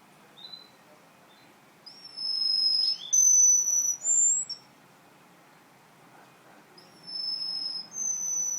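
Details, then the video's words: Russian canary singing: high, clean whistled notes and slurred rising phrases in short bursts separated by pauses, over a faint low background hiss. "russian canary v"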